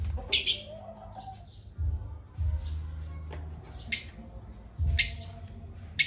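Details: Parrots at playtime squawk in short harsh bursts, several spaced irregularly across a few seconds, with a brief lower chatter near the start and a constant low hum behind.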